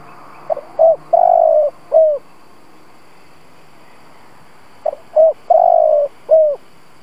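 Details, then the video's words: Spotted dove kept as a decoy to provoke wild doves, giving a mellow cooing phrase twice: two quick short notes, a long steady coo, then a short falling note, about four seconds apart, over a quiet background. "Cu gáy mồi Gù siết bổi nhập tàn, chim cu gáy kích bổi nhanh nổi"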